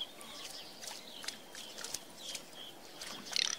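Teal give brief, high, whistled chirps scattered through the clip, with a louder ringing note near the end over soft outdoor hiss.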